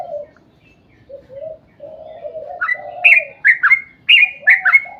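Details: Sooty-headed bulbul lure song in long rolling style: soft low wavering warbles for nearly three seconds, then a burst of bright rising whistled notes in quick succession.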